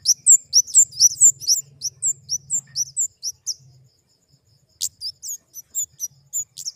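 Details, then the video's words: ['High-pitched flowerpecker twitter: a quick series of thin, bouncing upslurred chirps, a pause, then sharper ticking notes and further spaced chirps; faint low hum early on.'] "Suara burung kemade"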